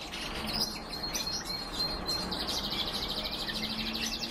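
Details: Canary and goldfinch hybrid singing: rapid high twittering trills and bright chirps, with a dense buzzy trilled phrase in the second half, over a steady background hiss.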